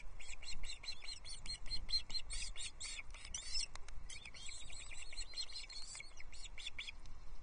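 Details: Three osprey chicks in a Loch Arkaig nest, 13 June 2024, begging as their father delivers a large trout and one chick shoves another aside; long runs of rapid, squeaky repeated chirps with brief gaps, wind rumbling underneath.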